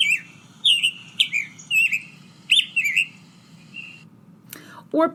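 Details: Summer Tanager song variant, a summer resident of Texas; songs differ by region and by where young birds learned them. Chirpy, slurred whistled phrases in short bursts, then a pause and a brief burst of human speech at the end.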